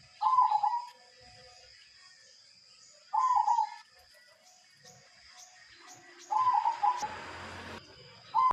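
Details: Long-kept local silver zebra dove repeating its rolling, bubbling coo about every three seconds, four phrases in all, with a brief burst of rustling noise near the end.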